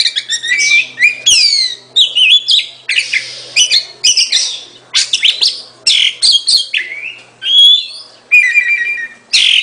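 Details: Oriental magpie-robin delivering phrase after phrase of loud, varied notes: descending whistles, buzzy chirps and clear level whistles, each burst separated by brief gaps.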